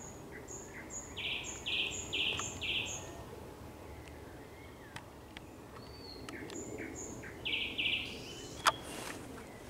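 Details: Thrush nightingale singing at sunset on 30 May 2021, giving a series of high piping notes with loud chunky lower notes beneath, then pauses with scattered clicks before repeating the chunky phrase; a sharp snap near the end.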